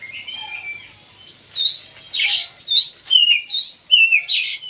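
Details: Oriental magpie-robin, or kacer, singing in a pacingan session that agitates it. A drawn-out whistle gives way to energetic, evenly spaced upswept whistles interleaved with coarse hissing bursts, growing louder toward the end.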